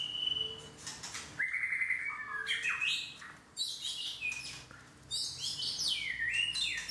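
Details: White-rumped shama singing a varied phrase of clear whistled notes, some rising, some falling, mixed with brief buzzy bursts and sharp high chips, with short pauses between phrases and a faint steady low hum behind.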